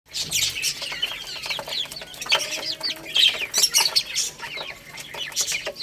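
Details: Several baby chicks eating rice: a dense chorus of high, thin peeps, many sliding downward, with constant sharp pecking clicks and taps underneath.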